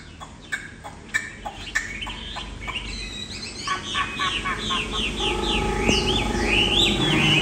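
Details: Tame old wild-caught Chinese Hwamei in a cage. A run of sharp clicking taps opens, then the bird breaks into fast, varied whistled notes over a steady low hum.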